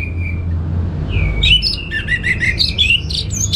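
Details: Caged orange-headed thrush in Bali, Indonesia: a thin steady whistle, then a rushed jumble of ringing whistled and chattering notes mixed with mimicked chirps, low hum behind.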